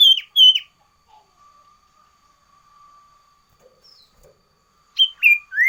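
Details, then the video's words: Loud varied song of a sooty-headed bulbul: two high falling whistles, a long pause with faint hum and small clicks, then a high note and two quick rising whistles. "Suara Burung Sirtu Variasi"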